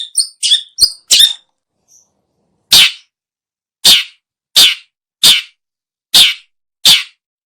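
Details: Long-tailed shrike, used for luring birds: a few quick high chirps open, then after a pause come six harsh, raspy, noisy notes spaced about a second apart.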